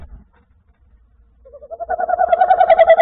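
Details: Tawny owl calling on 21 January 2024: a rapid, pulsed, trilling call starts softly and swells steadily louder, about three pulses each second, in quiet surroundings.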